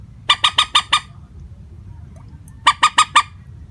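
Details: Common moorhen lure call, flat in tone: two runs of five loud, harsh, evenly spaced clucks, about a second and a half apart, with a quiet low hum between.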